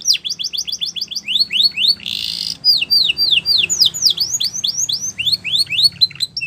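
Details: Border canary singing a training song for young canaries, rapid falling whistled notes broken by a short harsh buzzy burst, then resuming with varied sweeps and quick chips.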